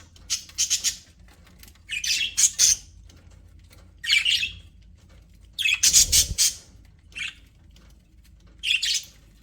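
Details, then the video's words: Pet budgerigars in an aviary giving scattered squawky chirps: brief harsh high bursts every second or two, some doubled, separated by quiet gaps with a soft low hum. "HAPPY BUDGIES SOUNDS"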